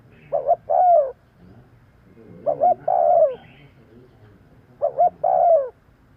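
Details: Lure call of a spotted dove, repeated three times about every two seconds, each a pair of quick low coos leading into a longer, falling, slightly hoarse coo.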